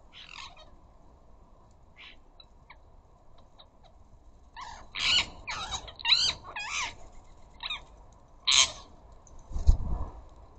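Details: Ring-necked parakeets at a garden bird feeder, quiet scattered notes at first, then from the middle a burst of loud raspy squawks and chattering calls, with a low thump near the end.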